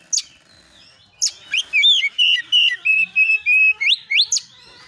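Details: Oriental magpie-robin lure song for provoking replies: a lone high chip, then a rapid string of loud even whistles closing with rising upslurs.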